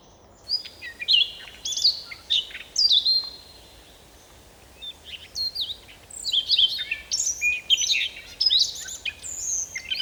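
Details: Siberian rubythroat singing near Novosibirsk, Russia: varied, scratchy warbled phrases mixing clear whistles and rapid trills, in bursts separated by short pauses, with a quiet gap mid-clip and otherwise still background.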